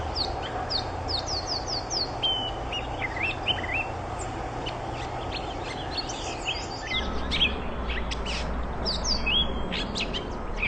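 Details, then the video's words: Catbird singing a jumbled medley of short high whistled and squeaky notes, some rising and some falling, delivered irregularly against constant broadband noise and a low hum. "Nyanyian Catbird"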